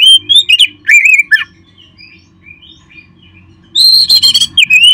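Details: Oriental magpie-robin song played to stimulate caged birds to sing: loud, varied whistled phrases and harsh chattering notes in two bursts, separated by a quiet stretch of soft low hum.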